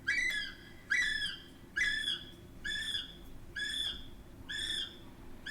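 A kiwi gives a series of shrill, screaming whistles, each about half a second long, repeated roughly once a second over a low background hum.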